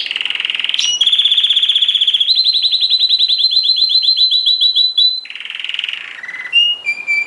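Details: A tame canary singing vigorously while held in the hand: loud, fast rolling trills, one long steady high trill rising slightly, then quick changes to shorter whistled phrases at different pitches, with no other sounds.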